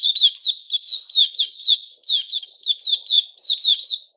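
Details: Captive white-crowned shama (Puteh Raja) growing new feathers, recorded 6 September 2021, delivering quick clusters of sharp, slurred high notes in short rhythmic bursts about every half second.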